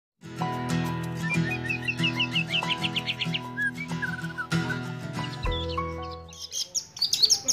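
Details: An actively singing long-tailed shrike, noted for doing somersaults, gives a fast run of sharp, high chirps and short rising notes over loud, steady droning tones that hold through most of the recording.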